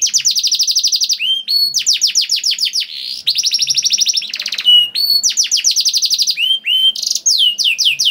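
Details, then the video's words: Long loud canary song meant to set other canaries singing: rapid steady trills of sharp down-slurred notes broken by brief whistled rising notes and a short buzzy rattle, repeating in phrases. "PANCINGAN KENARI GACOR DOR NGEREK PANJANG INI AMPUH BIKIN KENARI LAIN BUNYI"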